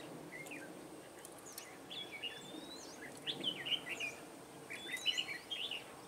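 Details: During a bulbul-trapping session on 21 March 2017, a Red-whiskered bulbul gives scattered short chirps, then louder bursts of lively warbled phrases around three-and-a-half and five seconds, over constant low outdoor noise.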